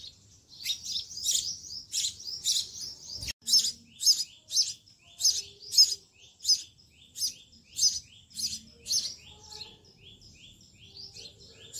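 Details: Sparrow chicks in a nest at a home garden being fed by their mother: rapid, high, repeated chirps about twice a second, with a sharp click partway through.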